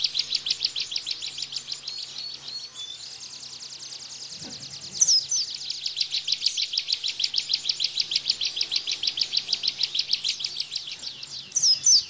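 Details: Rapid-fire 'tembakan' song of a bar-winged prinia, meant for training cage birds: a long, steady stream of high, clipped notes delivered in fast succession, briefly interrupted by a soft thump, with a few sharp squeaky accents near the end.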